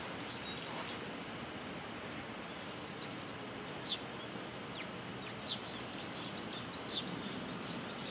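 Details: Sparrows gathering to be fed at a Tenmangu shrine, Japan, 14 October 2022; three clear bright chirps about a second and a half apart stand out amid faint chattering and steady background rumble.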